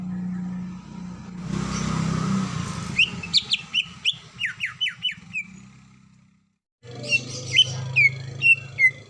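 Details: Greater green leafbird female calling the male: a run of quick, downward-sweeping whistles after a stretch of hissing noise. After a short silence, more spaced whistled chirps follow over a steady low hum.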